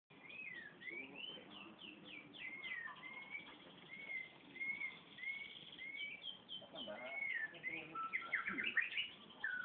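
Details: Canary singing a long, continuous song of quick whistled slurs and rolling trills, notes rising and falling with brief buzzy bursts and a faster, denser flourish near the end.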